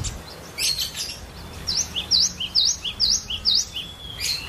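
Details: A kept cinereous tit, called glatik batu, sings varied chatter used to coax other birds into song; brief squeaky notes lead into six clear, sweeping two-note whistles repeating steadily about twice a second.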